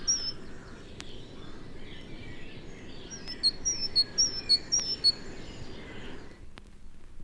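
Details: Great tit in a British broad-leaved woodland in early January, singing its chiming song: a bright two-note phrase, high then lower, repeated about twice a second over a steady background hiss.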